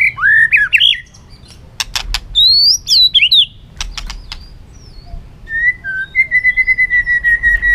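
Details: Caged white-rumped shama (chòe lửa, murai batu) in competitive song meant to stir other birds: rich varied whistled phrases, sharp clicks, then a rapid pulsed trill on one steady pitch.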